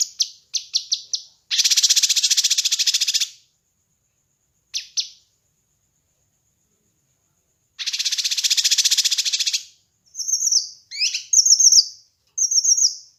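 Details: Kinoi bird singing, recorded to train and lure other birds: short high chip groups, two long buzzy rattling trills separated by silence, then clipped sharp whistled notes near the end.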